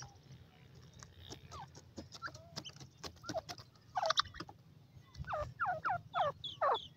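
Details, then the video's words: Female francolin calling: after a scatter of faint clicks, loud harsh downward-curving notes come in quick clusters over the last three seconds, each note short and scratchy, with a low hum underneath. "desi teetar madi ke awaz"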